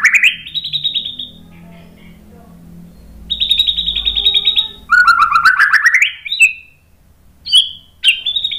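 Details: White-rumped shama, used as a master song to provoke other birds into singing: loud varied phrases of rich whistles and rapid trills, some sliding upward, separated by short pauses, with faint low hum beneath.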